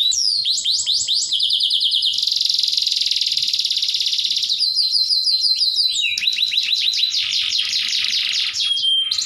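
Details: Canary singing a 'tembakan'-rich song: fast bursts of repeated high chirps, sweeping notes and dense buzzy trills run without pause, switching between rapid-fire phrases and sustained rattling rolls.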